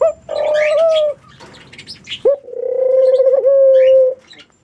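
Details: Two long, mellow mourning dove coos with slight wavers, overlaid by scattered high twittering chirps from other birds.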